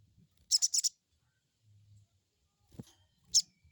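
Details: Lure recording of a crested jay crecet call for untrained birds: a quick cluster of three harsh high notes, then after a pause a single similar burst, with a low thump between.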